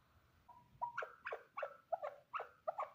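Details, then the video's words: Male chukar partridge, heard softer and more distant, starts with a thin whistled note, then repeats short two-part clucks more slowly, above a faint low background hum. "Овози кабки нар Голос Куропатка صوت الحجل Partridge's voice صدای کبک"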